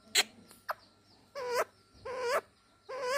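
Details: Pet talking parrot giving a few drawn-out, nasal, whining calls, each about half a second long, with two short sharp clicks at the start.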